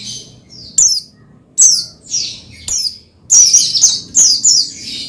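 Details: Oriental white-eye (pleci) song played to stimulate another pleci to sing: short high thin twittering bursts, each opening with a sharp click, repeated roughly every second, then a denser run of chirps near the end.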